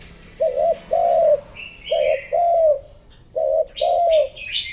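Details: Spotted dove hen calling to excite males, giving three pairs of low coos, each a short note then a drawn-out one, over frequent high sharp chirps from other birds.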